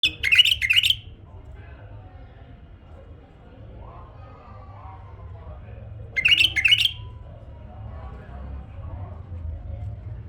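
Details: Tame male bulbul singing: two short, bright, warbled phrases of quick liquid notes about six seconds apart, with quiet room hum between them.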